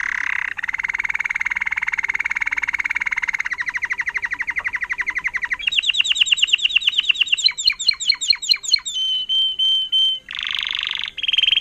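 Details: Trained Timbrado canary, a 2018 bird in agate topaz intense yellow: long buzzy trills changing pitch in stages, then fast swooping repeated notes and clear whistled tones.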